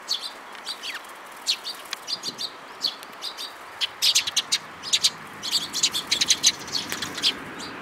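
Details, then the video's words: Recorded 19 May 2018, sparrow parents and chicks chirp constantly: high short notes, sparse at first, then a dense chattering flurry of many chirps from several birds. "可愛いすずめ達 20180519（親鳥と雛）"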